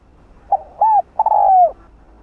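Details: Spotted dove cooing to stimulate other doves to coo: a short note, then a smooth rising-falling coo, a pause, and a longer stuttered coo sliding down, all mellow and mid-pitched in a quiet setting.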